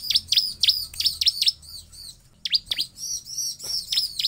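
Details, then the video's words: Ciblek singing, played as a lure to get other ciblek to respond: fast runs of piercing high downward-swept chips, repeated in clusters of three to six, separated by short gaps, faint low hum in background. "Suara Ciblek Paling MANJUR untuk pancingan ciblek agar bunyi"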